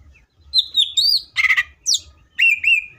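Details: Greater green leafbird singing in full 'tembakan' style: high whistled slurs and sweeping notes, a short harsh burst in the middle, then a rising-falling whistled phrase, with brief pauses between bursts.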